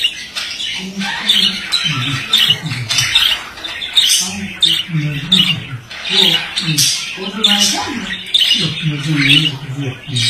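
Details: Male budgerigar chattering steadily, a dense stream of squeaky, grating warble notes with sharp clicks, mixed throughout with lower, throaty, voice-like murmurs.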